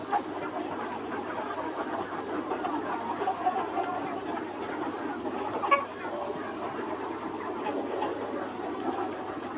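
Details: A free-range flock of Red Mía chickens, rooster among hens, keeps up continuous low clucking and muttering; one sharper brief call stands out near the middle amid a steady background rumble.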